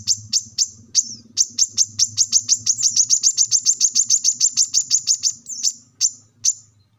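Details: Plain-throated sunbird (kolibri kelapa), a lively singer used to coax lazy caged birds into song; a long, fast run of piercing high ticks, about four per second, slowing near the end, with a faint low hum beneath.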